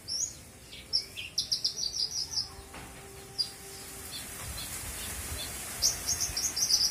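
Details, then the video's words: Australasian bushlark, a caged bird recorded as a master for other songbirds, singing full isian: fast, very high buzzy trills in short runs, a quiet pause, then more dry trilling. "kicau burung branjangan ||Branjangan full isian"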